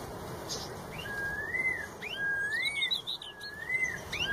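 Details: Straw-headed bulbul (red-tailed cucak rowo) singing steadily in the wild: a run of sweet, wavering whistles that slide up and down in linked phrases, with soft high chirping around it.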